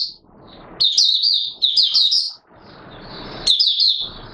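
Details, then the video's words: Oriental white-eye, a caged songbird recorded on 24 March 2022 in 'buka sing' style, delivers two sharp-edged, high twittering phrases and a brief third burst over a steady low background hiss. "Mata Puteh Raja Video 1 buka sing"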